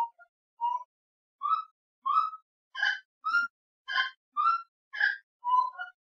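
Grey-cowled wood rail giving a loud, rhythmic series of nasal, honking notes, about two per second, some rising and some harsh and raspy, with no other sounds.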